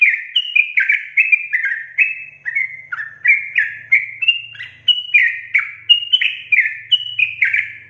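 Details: Sooty-headed bulbul in chatty gacor style with long ropel, a rapid unbroken run of short bubbly whistled notes. Each note slurs downward and the notes alternate higher and lower, roughly three per second, with a faint low hum underneath.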